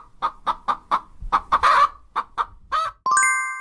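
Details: Hen clucking in a quick series of short, evenly spaced clucks, roughly four per second, with one harsher, louder cluck in the middle, followed by a bright chime at the end.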